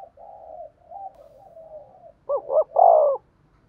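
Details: Spotted dove cooing, played to stir up and train decoy birds: soft, low, wavering coos for about two seconds, then two short, louder hooting notes and a final strong, drawn-out coo.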